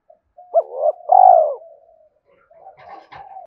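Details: Decoy spotted dove cooing to draw in wild males: a rising note, a rough swelling note and a loud drawn-out coo, followed by quieter broken cooing and murmuring notes.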